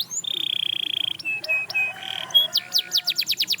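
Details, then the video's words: Canary song meant to inspire other canaries to sing: a long steady high whistle, a few short clipped notes and a lower buzzy phrase, then quick repeated downward strokes. "Watch How This Canary Inspires Others to Sing Again!"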